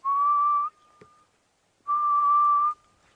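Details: Grey-headed bushshrike (Malaconotus blanchoti) at sunrise on a morning safari drive, 15 October 2016, giving two long, mournful, level whistles, each nearly a second long and slightly rising at the end, with a faint click between.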